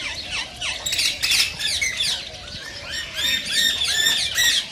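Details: Rose-ringed parakeets, Indian ringneck type, calling to encourage mating: a noisy burst of grating squawks, then a run of clearer, repeated ringing screeches about three a second.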